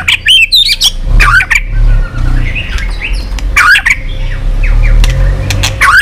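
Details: Excited White-rumped shama song used for training and stimulating birds: bursts of clear whistles and sharp clicks separated by gaps, over steady low engine-like rumble.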